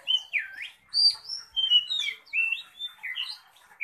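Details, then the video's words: Contest-ready Oriental magpie-robin in fierce song with display: a fast run of clear whistled notes, one deep swooping slur, then bright rising and falling whistles, about one to two notes each second. "KACER SIAP GANTANG, kicau ganas,ngobra"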